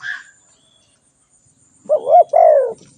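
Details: Spotted dove giving one cooing phrase near the end, short wavy notes then a long falling coo, preceded by a brief higher bird note.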